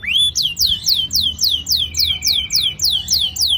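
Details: Canary roll for stimulating young canaries to sing: high swooping notes repeated about four times a second in an even, rhythmic series.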